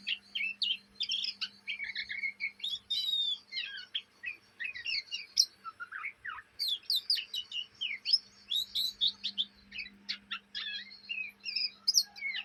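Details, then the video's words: Young Oriental magpie-robin from Indonesia keeping up its ngriwik chatter day and night; long unbroken medley of sharp chips, twisting whistles and buzzy fragments, very busy and fast, a faint steady hum underneath. "kacer bahan ngriwik siang malam"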